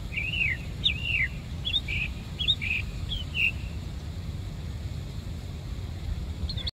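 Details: Bird singing in Savannah: several separate looping, falling whistled notes spaced about a second apart, fading after three seconds, with a continuous low traffic hum throughout.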